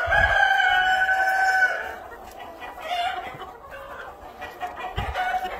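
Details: A pen of Cream Legbar chickens at a hatchery: a loud drawn-out harmonic call held for nearly two seconds opens, followed by softer scattered clucks and murmuring calls from other birds in the flock, with occasional low thumps.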